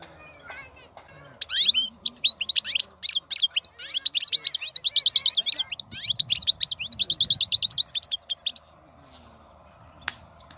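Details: Wild European goldfinch, described as a powerful singer, pours out about seven seconds of quick, chattering, high twittering song with tinkling trills. The song stops abruptly, leaving faint low background hum.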